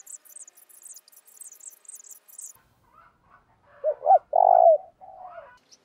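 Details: Decoy spotted dove calling to provoke rivals: after a run of high, thin chirps from small birds, a low hollow coo phrase enters near the end, with a rough middle note and a falling final coo.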